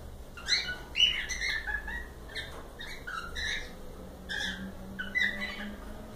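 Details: Several cockatiels heard live, giving a run of harmonic, squawky chirps with rising and falling whistled notes, about two per second and somewhat irregular, over a faint low hum.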